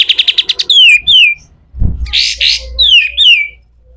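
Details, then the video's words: Pied triller, a bird used as a training tutor for other birds, in rough 'besetan kasar' style: a fast burst of sharp repeated chips, then descending slurred whistles and harsh buzzy bursts. "SUARA KASAR‼️katem gacor dor, masteran burung"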